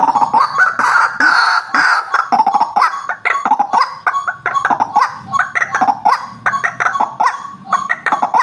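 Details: White-breasted waterhen calling for a bird lure: a loud, rasping outburst first, then a rapid, staccato series of harsh clucking croaks throughout.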